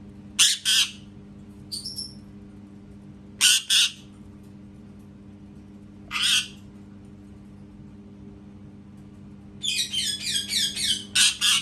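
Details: Pet parrot giving scattered loud raspy double squawks and a brief nasal note, ending with a fast chattering run of rough notes; quiet hum behind.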